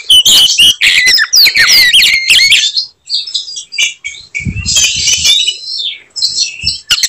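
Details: Oriental magpie-robin in combative song, its signature bursts provoking other magpie-robins; energetic slurred whistles and chatter, a pause near three seconds, then harsh buzzy phrases over low knocking sounds.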